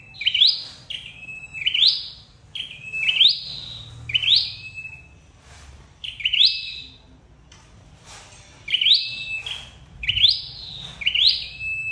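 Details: Flowerpecker calls for bird trapping: some nine crisp high phrases, each a flat note lifting into a rising whistle, in two runs separated by a short pause.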